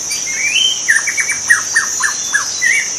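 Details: Wild white-rumped shama in natural habitat: a rising whistle, then a quick series of short clipped whistled notes and a brief trill, over a steady high-pitched insect-like drone.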